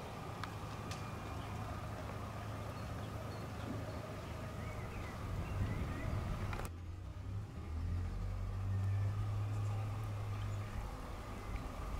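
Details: Low rumbling vehicle and engine noise fills the recording, with no animal calls standing out.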